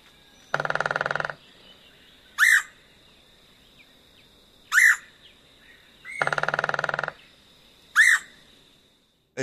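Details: Red-headed Woodpecker giving its very forced weir call: two long, harsh, raspy weir notes with three shorter, sharper notes between them, over a steady high insect-like tone.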